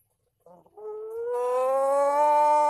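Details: Rooster giving a long, drawn-out crow: a brief rough start, then one sustained, slowly rising harmonic tone that grows louder and holds steady for about two seconds without breaking.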